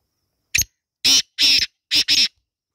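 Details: Black francolin (kala teetar), described as a female, calling free in jungle: five harsh, grating bursts in under two seconds, a short clipped note followed by longer rasping notes, the last two run together, with nothing else heard.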